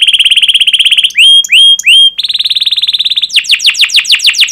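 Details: Canary in strong rolling song meant to trigger other canaries to answer: fast even trill, three loud rising whistles, another rapid roll, then slower descending sweeping chips.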